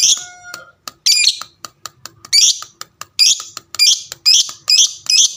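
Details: Fighter-type lovebird calling to provoke others into answering: a short whistled note, then a series of loud rasping high squawks coming faster, about twice a second, with soft clicks and ticks in between.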